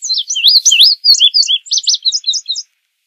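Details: Passerina cyanea delivering a bright, high-pitched song of paired swooping notes that starts at once, then falls into quick, sharply repeated chirp pairs over about two and a half seconds, with a silent background.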